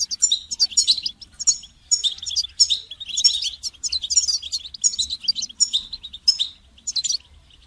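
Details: A goldfinch sings a dense, continuous, high-pitched twittering song with liquid trills and buzzy notes that run almost without pause. The recording is meant for training songbirds.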